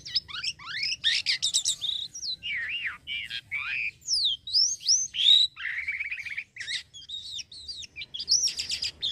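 A black-winged myna sings a continuous, varied medley of sliding whistles, harsh chatters and buzzy notes, with a faint low hum beneath.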